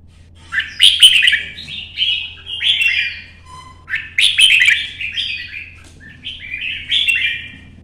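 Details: Red-whiskered bulbul kept in a cage for song contests in Vietnam, singing solo in morning sun while moving between perches: loud, rich warbled phrases about every one to two seconds, mixing clear whistles with harsh, chattering notes.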